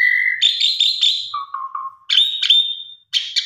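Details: Female Asian pied starling calling for a male: flat whistled notes, a run of lower buzzy notes, then bright high whistles with short pauses between phrases.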